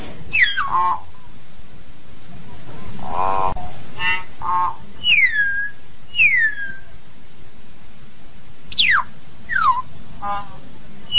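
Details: Hill myna singing to gather its flock: a varied series of loud whistles, some falling and some arched, mixed with shorter harsh nasal notes, spaced irregularly over a low background hum.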